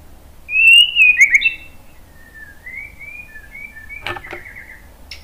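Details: White-rumped shama lure song: a loud whistled flourish, followed by faint drawn-out whistles and a couple of sharp clicks.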